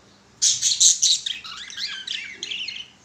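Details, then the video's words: Pet budgies on a swing sing a sudden run of four loud, rasping high chirps, then a softer rolling twitter of quick squeaky, wavering notes. "Budgie sounds or budgie singing"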